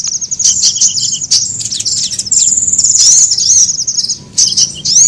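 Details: Sunbird lure sound, used to draw birds together: thin, very high chirps and short twittering bursts, with brief rising and falling whistled notes and a sustained high trill near the middle.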